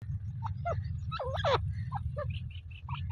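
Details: Female grey francolin with loud, swooping, looped whistles and then a rapid series of short, high notes, all over a steady low rumble.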